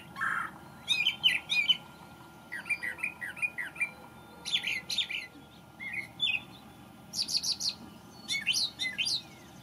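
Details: A male brown thrasher (Toxostoma rufum), newly arrived from migration, sings in May: loud, varied phrases of whistles, chirps and harsh notes, often in quick pairs, over a faint steady hum.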